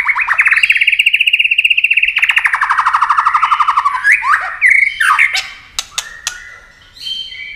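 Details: White-rumped shama in speed-singing competition, flashing wings and working its tail: opens with a long rapid trill of repeated buzzy notes, then swooping whistles, harsh phrases and sharp clicks.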